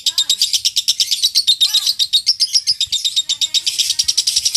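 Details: Lovebird in a long ngekek chatter, meant for training birds for singing contests: continuous rapid, raspy high notes with a couple of softer swooping chirps mixed in early, running nearly five seconds.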